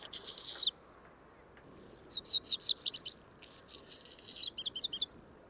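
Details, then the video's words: Black redstart recorded at Portland Bill, 6 April 2021: a scratchy high rattle, then a run of thin whistled notes and another crackling grating section ending in quick sharp notes, all high-pitched over faint background noise. "Black Redstart"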